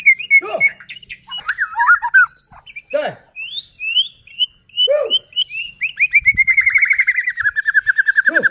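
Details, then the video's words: White-rumped shama song, used to provoke other shamas into singing: loud, varied whistled phrases with sliding notes and sharp downward chips, closing in a rapid series of rolling repeated notes. "Murai batu gacor AMPUH buat PANCINGAN murai batu agar bunyi JADIKAN burung murai EMOSI"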